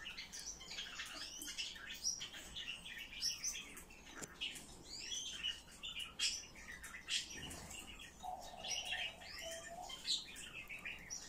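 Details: Eurasian blue tit chattering steadily, with dense high chirps and arched notes throughout and a brief lower, drawn-out note near the end.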